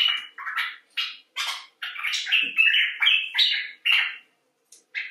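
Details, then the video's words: Common bulbul (Pycnonotus barbatus) in expressive talk: a chattering run of short, scratchy and fluty notes, uneven in rhythm, some harsh and some whistled, with a few short gaps. "Bulbul Talk: The Common Bulbul (Pycnonotus barbatus)"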